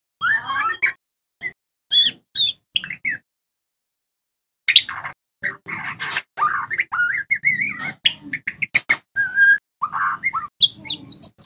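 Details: White-rumped shama training song for young birds; scattered short chirps, a silent stretch, then a dense run of whistles, sharp clicks and warbled phrases.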